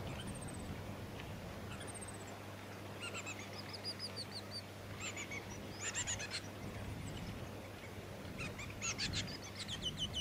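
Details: Splendid fairywren, subspecies melanotus, in Victoria, Australia, December 2017: scattered thin high notes, then several brief bursts of rapid, very high trilled notes separated by short pauses, over a low rumbling background.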